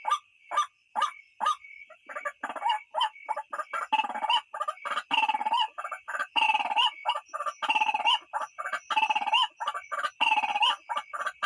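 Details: White-breasted waterhen calling, from a recording used to lure birds at night; a few sharp clicks open, then dense, overlapping harsh croaking notes tumble together with a steady high ringing tone behind.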